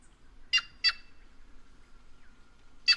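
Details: A white-naped jay of the Brazilian caatinga utters a raspy two-note burst, then a single rough note two seconds later, over a soft, steady whistled tone in the background.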